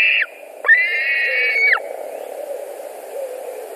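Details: A White-tailed eagle screams at a Latvian nest during food delivery and fighting, 2 August 2020. A short yelp is followed by one long, strained, ringing scream, then quieter background.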